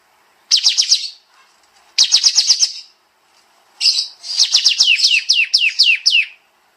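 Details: Kapas tembak, or sooty-headed bulbul, giving its tight 'nembak' song: three quick bursts of high, crisp notes. The last burst is longer, with a dozen fast downslurred chirps running together.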